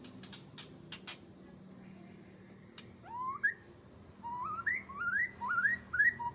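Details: White-rumped shama, a champion bird, singing aggressively while aired outdoors (umbaran): a run of bright rising whistles repeated in quick succession after a few sharp clicks, with a quiet low background hum.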